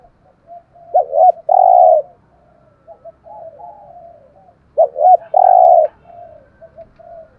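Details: Decoy spotted dove, played to make wild doves call quickly: two phrases about four seconds apart, each with a short rising coo and then a long, loud, steady low coo, followed by softer trailing notes.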